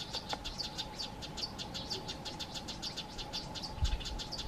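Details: Frantic female Amethyst Sunbird mobbing two Fork-tailed Drongos near her nest; a fast, even stream of high, clipped chip notes, roughly five per second, continuing without pause above a faint constant hum.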